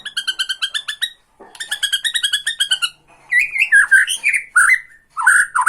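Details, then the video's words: Tretekan song of a Bornean white-rumped shama aimed at goading other shamas: two series of fast, evenly repeated nasal notes, then loud looping whistles broken by rough churring. "TRETEKAN MURAI BORNEO MANCING MURAI LAIN"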